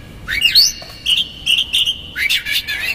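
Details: Provoking magpie-robin song with rough fill-in notes: an upward-swooping whistle, then a long steady high whistle broken into pulses, ending in another rising sweep and sharp chirps.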